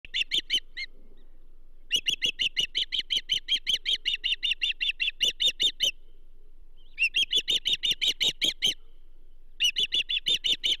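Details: Osprey at the Charlo nest on 15 June 2024 during the delivery of a second bull trout, giving bursts of rapid, high, piercing chirps repeated several times a second, with brief silent gaps between runs.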